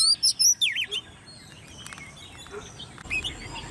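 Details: Competition song of a caged, hand-raised Oriental magpie-robin aged ten months: a short burst of bright whistled and twisting high notes in the first second, then only faint scattered chirps against a low background hiss.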